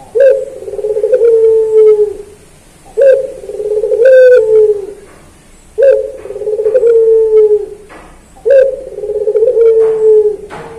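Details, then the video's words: Puter pelung turtle dove used to train songbirds: four regular coo phrases, about every two and a half seconds, hollow and low, each held long and easing downward, with light clicks between. "Masteran Puter Pelung Manggung Atau Berbunyi"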